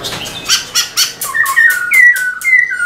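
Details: Black-throated laughingthrush, caged, in vigorous tail-dancing song: five or six harsh, clipped notes, then a series of bright whistles stepping between higher and lower pitches.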